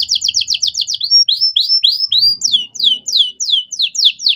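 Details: Canary singing a master song used to train young songbirds, with luxurious melodic phrasing: rapid runs of high, downward-sweeping notes, then a few slower rising slurs and another quick series of falling chirps.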